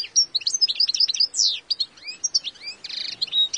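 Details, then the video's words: A wild European goldfinch sings a fast, liquid twitter of bright tinkling notes and quick slurs, ending in a brief buzzy trill; it is one individual's own song, since each wild goldfinch's song is unique. "Wild European goldfinch song (Carduelis Carduelis) تغريد حسون خلوي"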